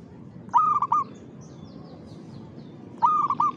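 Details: Zebra dove (perkutut) in full rhythmic song: two short cooing phrases, each a quick series of soft, slightly rolling coo notes, about two and a half seconds apart over quiet background hiss.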